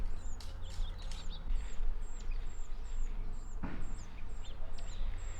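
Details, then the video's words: Young verdins in the morning on a birding trip through southern Utah and Arizona, following their parents everywhere and begging for food though able to fly. Thin, high, down-slurred chips repeated about every half second over a steady low rumble. "In the morning, there were still verdin around, and it was really funny to me to watch them because these young were just following their parents everywhere begging for food when they're totally capable to fly on their own, as you can see from these clips."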